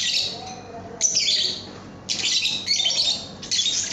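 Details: Lovebird song for training cage birds: three loud bursts of grating, high chatter, each starting abruptly and trailing into softer twittering.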